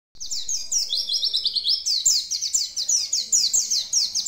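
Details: Oriental white-eye (pleci) singing in lively gacor style: a fast, high twittering run of sliding notes, first a chain of even downslurred chirps, then after a short break a denser burst of quick paired slurs, roughly two or three per second.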